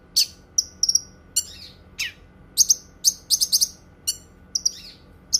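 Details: Cucak kinoi, a bird valued for tutoring and therapy, giving clear high whistled notes and sharp chips, some doubled, with a few downward-sweeping calls, spaced irregularly.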